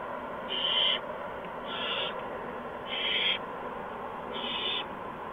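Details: Owlets at a nest on the evening of March 13, 2015, during mouse and gopher deliveries. Four rasping hisses of similar length come about one second apart over a constant low hum.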